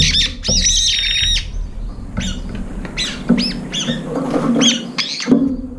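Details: Brown-eared bulbuls, a group jostling over a nearly emptied food bowl and driving off rivals. A drawn-out, piercing, slightly wavering screech opens, then scattered short harsh arched calls follow over a low hum.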